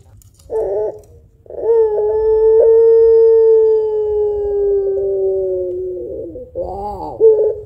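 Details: Spotted dove of the pelung kind, a lure bird with an extended voice: a few short opening notes, a pause, then one very long, even coo lasting about five seconds and gently falling, followed by quavering notes.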